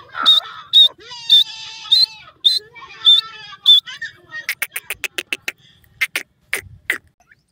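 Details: Francolin calling with loud, high, clipped notes repeated roughly twice a second. A burst of rapid dry clicking notes follows.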